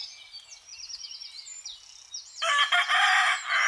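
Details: Rooster in the countryside in spring 2018, with other birds and hens around: small birds twitter and whistle at first, then a loud, full, harmonic crow bursts in and carries on to the end.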